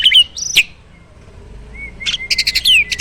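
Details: Farm starling singing with fill-in phrases: a few sharp high notes and a level whistle, a near-silent gap, then a slow rising whistle and a cluster of bright chirps.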